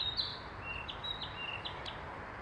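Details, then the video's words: Wild Narcissus flycatcher recorded in Oyama, Tochigi, Japan, giving a sharp high note followed by a string of short, clear whistled notes, each ending in a brief upward flick, repeated about every third of a second over faint hiss. "キビタキ 声"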